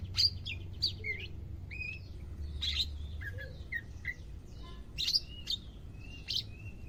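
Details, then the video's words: Greater green leafbird kept in care in Indonesia, second day and beginning to sing: clear varied phrases of sharp high notes, short whistled slurs and warbles, some descending, with quiet gaps between phrases. "HARI KE 2 PERAWATAN CUCAK IJO, SUDAH MULAI AKTIF BUNYI"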